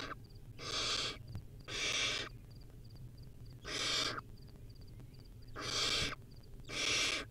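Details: Wild barn owl chick at its nest with a rodent: a run of five rasping, breathy screeches, irregularly spaced, over soft background ticking.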